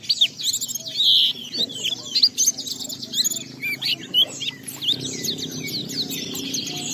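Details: Caged Oriental white-eye singing as a lure to provoke other white-eyes to sing: rapid high twittering phrases of sweeping whistles and trills, with short pauses and a faint low hum beneath.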